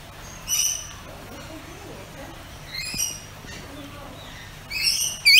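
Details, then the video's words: Pet rainbow lorikeet giving a few short, harsh, screechy calls with strong upper harmonics, spaced apart by quiet gaps, the last ones rising and clipped at the end; faint low background hum. "Rainbow Lorikeet Making Calls"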